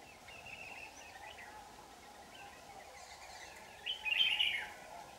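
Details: Red-whiskered bulbul near a trap, 4 January 2018; faint scattered notes early on, then one loud, bright warbled phrase near the end, against steady hiss.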